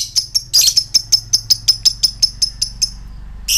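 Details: Fighter lovebird ticking before its ngekek, used to provoke other lovebirds: sharp, high clicking notes repeated about three times a second, with a brief harsh burst early on and another at the end.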